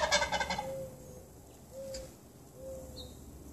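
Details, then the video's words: Wild turkeys camped outside a home for two weeks, displaying and communicating, with the tom calling around 6am. A short rapid rattling gobble burst opens, followed by three drawn-out, steady, whistled notes spaced about a second apart. "Turkey talk and displays"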